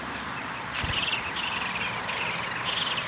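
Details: Downy woodpecker nest with feeding under way, 20 May 2021: short, bright squeaky calls in several clustered bursts after a brief knock, set against a steady hiss.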